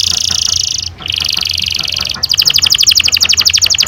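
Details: Canary in long rolling song, used to stimulate young canaries to sing: a high buzzy trill broken by a short pause, then a faster, evenly pulsed roll repeating about four notes per second.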